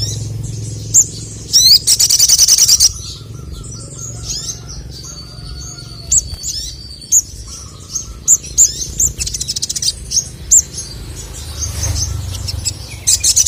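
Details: Male crested jay song for provoking rival males: sharp high chirps and a loud fast rattle, with a steady mid-pitched tone sounding in the background.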